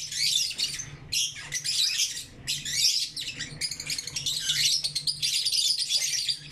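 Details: Lovebirds in the morning chatter continuously in shrill, high chirps and scratchy squawks, overlapping with barely a pause; a low indoor hum lies underneath.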